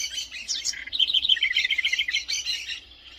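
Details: House wren delivering a fast, bubbly, jumbled song of high twittering notes, tumbling and warbling for nearly three seconds before trailing off.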